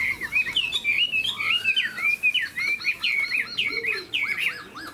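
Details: Chinese hwamei kept tame in a cage, tail spread, wings flicking in display, sings varied whistled phrases with repeated short slurs and one long, low sweeping note.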